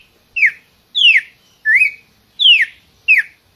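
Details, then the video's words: Red-cowled cardinal song: five clear whistled notes, alternately falling and rising, one roughly every 0.7 seconds, loud against a quiet background. "CANTO DO GALO-de-CAMPINA, cardeal-do-sul, cardeal-de-topete-vermelho"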